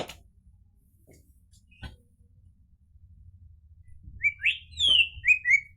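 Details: Orange-headed thrush heard after a few seconds of quiet with scattered clicks: a rich phrase of swooping, slurred whistles, loud and clear, ending in a descending flourish.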